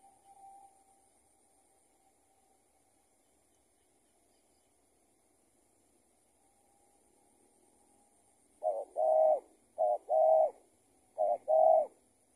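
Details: Spotted dove answering a decoy during trapping: after a long quiet stretch, paired cooing phrases begin near the end, each a short coo followed by a longer, fuller coo, repeated three times in quick succession.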